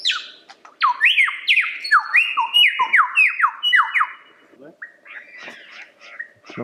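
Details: Lyrebird delivering a fast chain of descending whistled notes, roughly two per second, followed by softer varied warbles and clicks.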